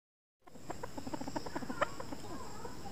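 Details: Chukar (Alectoris chukar) calling: after a brief silence, a run of short, clucking chuk notes repeated several times a second, rather even in pitch, over a steady low background hum.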